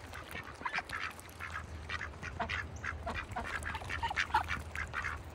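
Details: Ducks kept in a bucket on a farm in wintertime, giving short, harsh, nasal quacks in quick irregular bursts throughout, over a steady low hum.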